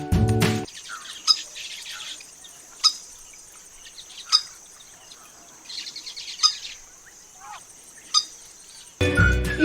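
Slaty-breasted Rail giving sharp, dry ticking notes every one and a half to two seconds over a steady high insect hiss, with music at the start and end.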